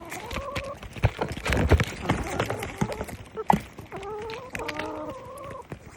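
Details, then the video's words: Chickens going about their business: drawn-out, wavering clucks and squawks from several hens, with scuffling and low thumping noises throughout. "Who else loves the sound of chickens being chickens?!"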